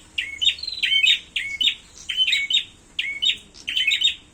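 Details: Prinia calling in a fight: clusters of shrill down-slurred chirps repeated about twice a second in jerky bursts, with a soft steady hiss behind.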